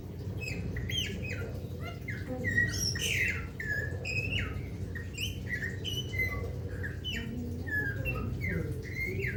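A golden myna gives a busy run of clear whistles, squeaky chirps and harsh squawks, jumping between pitches, over a steady low background hum.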